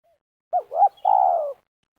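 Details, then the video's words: ['Single meruas-style phrase from a spotted dove during a luring session for snare trapping in Liwa, West Lampung, Indonesia: two quick curling coos, then a sustained coo sliding gradually downward.'] "Pikat Terkukur / Pakai racik / Terkukur Meruas liwa / Belajar Main di Tanah"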